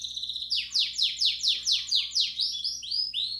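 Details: Belgian canary song played to stimulate chicks: a run of about eight fast, repeated downward-sweeping notes, then several brief rising whistles, all high and bright.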